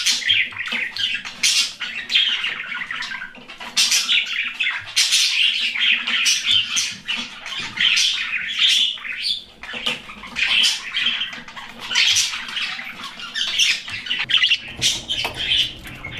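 Budgerigars chatter continuously in dense, scratchy chirps and warbles, with quick squeaky notes overlapping.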